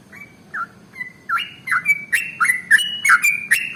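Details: Sooty-headed bulbul, sung as a 'pancingan' lure for other birds: starts with a few soft separate whistles, then builds into louder, faster bubbling whistled notes with clicky onsets.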